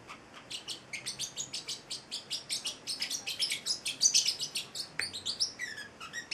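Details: Young male Celestial parrotlet, eight weeks old, chattering indoors with rapid, high, scratchy chirps repeated several times a second, a loud cluster in the middle and a few thinner squeaky notes toward the end.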